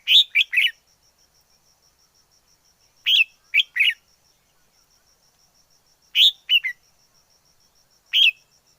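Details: Wild red-whiskered bulbul from the forest sings short phrases of two or three bright, slurred notes, repeated about every three seconds. A faint continuous high-pitched tone hums in the background.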